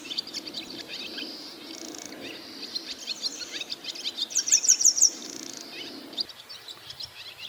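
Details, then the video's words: Barn swallows calling on a roof in northern Harima, central Hyogo, Japan: continuous high twittering chirps, with a brighter burst of rapid repeated notes near the end, over a steady low background noise outdoors. "ツバメの鳴き声 Swallows crow on the roof"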